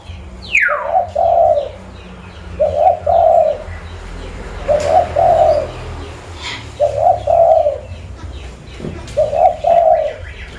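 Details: Zebra dove, a local lure bird from Pidie in Aceh, Indonesia, giving five short burbling double coos spaced roughly two seconds apart; a quick descending squeak opens the passage and low rumbling noise runs underneath.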